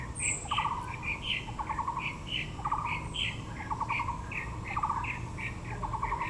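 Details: Taiwan blue magpie amid azaleas at Yangming Park, Taipei. Rapid pulsed rattles recur roughly every second, interleaved with bright squeaky chirps, plus a faint high whistle at the start.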